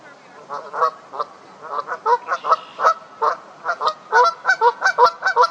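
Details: Canada geese honking loudly as they get into a fight: rough, nasal honks in quick, uneven bursts, roughly two to three per second, growing denser toward the end.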